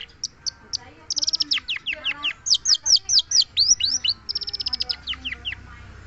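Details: Long-tailed shrike song made of rapid high chirps and downslurred whistles, bursts of quick repeated notes alternating with clearer single slurs, over a soft low hum.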